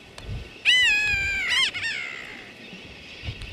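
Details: Johnston Atoll grey-backed tern, June 16, 2001, utters a single loud, steady, reedy cry lasting about a second. It ends in a brief wavering note and a fading tail, with quiet low background noise.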